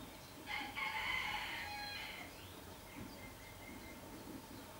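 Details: Female falcon at a nest box in Bad Schallerbach, 8 June 2012, with two newly hatched chicks, feeding them small pieces of muscle meat; a harsh, drawn-out raspy call lasting over a second, followed by faint thin calls against steady background hiss.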